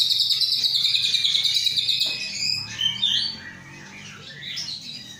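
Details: Caged white-rumped shama of Aceh descent, hatched 23 August 2012 and readied for breeding, delivers a loud high buzzy trill for two seconds, then softer scattered whistles and chatter fading away.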